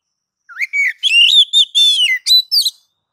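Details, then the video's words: Ngeplong-style song of an oriental magpie-robin (kacer), played to make other kacer sing: a low upward-bending whistle, then long bright whistles and a few sharp notes over about two seconds. Quiet background. "MASTER DASAR KACER NGEPLONG MEMANCING KACER AGAR CEPAT BUNYI GACOR"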